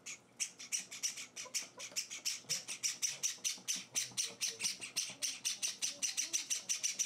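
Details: Begging of hand-reared Java sparrow nestlings during feeding on their fourth day at home: continuous rhythmic rasping chirps, several per second, loud and insistent throughout, almost no background sound.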